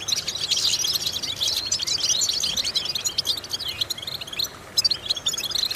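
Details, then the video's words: European goldfinch vocal exercise for stimulating goldfinches: dense, rapid twittering and tinkling chirps that gradually thin out toward the end, where there are short pauses, then a few renewed notes. "important vocal exercises necessary to stimulate goldfinches"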